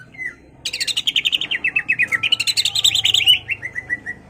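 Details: Greater green leafbird in lively full song, meant to rouse a rival into display and combat: a soft whistled slur, then a long rapid series of roughly thirty bright chattering notes, dipping, rising again and trailing downward.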